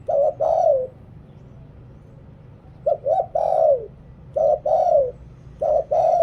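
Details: Spotted dove kept as a decoy in Thailand, voicing Liw Tan cooing to attract wild birds. Doubled short hoots lead into long downward coos, with a pause before the phrases resume in a quick series.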